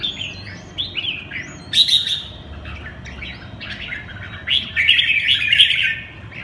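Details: Red-whiskered bulbul performing the Quảng lân bướm song style: short rising whistles and chirpy warbled phrases, a sharp burst near two seconds, then a longer loud rolling chatter toward the end, with a low background hum.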